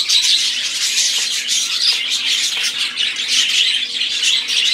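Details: Many budgerigars chattering at once: a high, continuous warble of squeaky chirps, rasps and brief whistled notes, steady in loudness.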